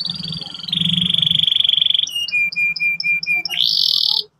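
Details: Canary singing in the morning, a lure recording meant to get young canaries singing quickly in ngeriwik and ngerol styles: a steady buzzy trill, then a row of short clipped notes, ending in a high rapid roll over a low background hum.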